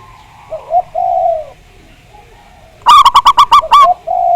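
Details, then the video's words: Lure song of a local Javanese zebra dove, meant to trigger singing. Soft, falling coos first, then a sudden run of seven loud, rapid, ringing notes ending in another coo. "Pancingan Perkutut Agar Bunyi, Suara Besar Mantab"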